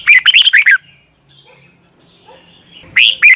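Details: Morning song of a red-whiskered bulbul, played as a lure to train birds: a rapid run of chirpy, warbled whistles, then quiet with faint background sounds, and another bright whistled phrase starting near the end.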